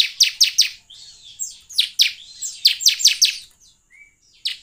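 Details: Lure recording of a bar-winged prinia singing to draw caged birds into song. Fast runs of three to four bright, high, downslurred chips, separated by short buzzy trills and a brief whistled note near the end.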